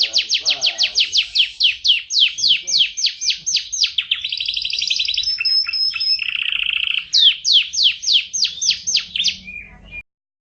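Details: Canary master song for training birds, long and gacor with full fill-ins: rapid falling chips give way to a dense buzzy trill and a steady low rattle, then more rapid sweeps before stopping abruptly.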